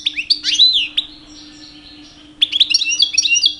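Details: Male European goldfinch, two years old and kept indoors, singing during mating season to win females: quick sliding twitters and a drawn-out buzzy note, a pause of over a second, then another run of bright chattering notes.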